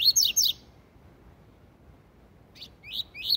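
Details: Tui tui zel zel song of a double-collared seedeater, a style for training young birds: two loud, sharply descending slurred notes, a long silence, then three rising whistled notes building in volume.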